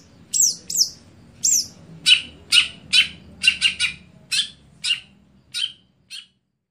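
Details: Stelan song from a greater green leafbird: a few high downslurred whistles followed by a regular run of buzzy chirps, about two per second, fading out at the end.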